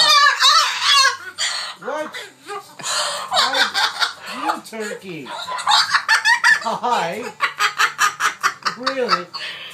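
A cockatoo pours out rapid runs of harsh, warbling, laugh-like squawks, about two per second, some sounding almost like speech, with a voice or two in the background.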